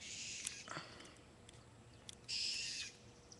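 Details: Blue jay scolding a cat, recorded by webcam on the afternoon of June 21, 2009; a noisy burst at the start, then one loud, harsh, rasping jay call lasting about half a second, with faint clicks and a steady background hum.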